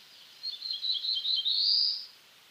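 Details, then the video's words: One full song phrase from a black-throated blue warbler of eastern North America, several wheezy buzzy notes followed by a louder rising buzz, in near silence. "Black-throated Blue Warbler Song"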